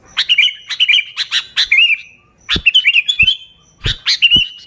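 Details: Lively sooty-headed bulbul song for luring bulbuls, with no other birds' songs mixed in: chattering bursts of quick liquid notes in three groups, with some soft thuds between phrases.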